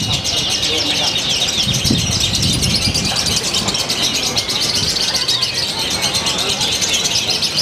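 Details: Lovebird from Purwakarta, Indonesia, showing a novel style with close-packed phrases: continuous shrill twittering chatter of rapid high notes, with low rumbling noise and some talking underneath.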